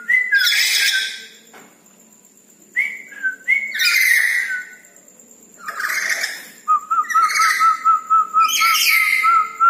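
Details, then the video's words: Red-breasted parakeet vocalizing actively at night: harsh, broad squawks in several bursts mixed with short whistled slurs, ending in a steady rippling whistle. A faint constant high tone sits in the background. "Nuri Paltem Gacor diMalam Hari"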